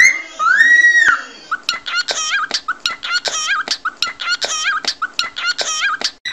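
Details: Cockatiel sounds used to teach a cockatiel to sing: one long arched whistle, then a fast run of short wavering chirps with clicking notes, repeated many times.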